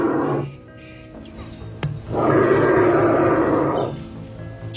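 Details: Australian bustard (Ardeotis australis), call.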